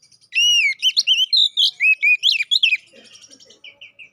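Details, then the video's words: Oriental magpie-robin singing as a fighting lure: loud, clear slurred whistles in a quick varied sequence, then softer scattered chirps. "Pancingan Burung Kacer Poci agar Cepat EMOSI, GACOR ON KONSLET"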